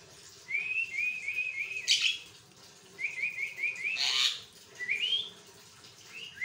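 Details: Javan myna singing without pause, as a master for other mynas: repeated strings of quick whistled notes broken by loud harsh bursts, with a final rising whistle.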